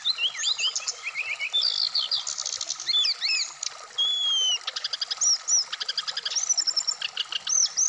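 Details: A Black-throated laughingthrush set out in the dew pours out a varied song. Slurred whistles, quick trills and a long clear whistle are followed by fast, evenly repeated chips.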